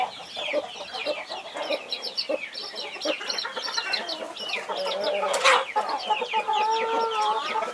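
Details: Hen protecting a brood of 21 chicks; rapid overlapping high chick cheeps fill the clip, and the hen adds lower drawn-out tonal notes in the second half.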